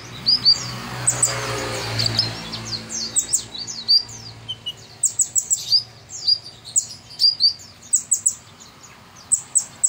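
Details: Lively tutor song of a kolibri ninja sunbird: crisp, very high chips and quick downward strokes, sparse at first, then packed into fast excited runs, in a quiet setting.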